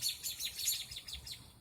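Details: Several birds chirp in quick, high, overlapping notes, about five bursts in under two seconds, like a dawn chorus, though recorded around 8:16–8:20 pm on 29 April 2017 with the moon out; the recorder finds this night-time calling unusual.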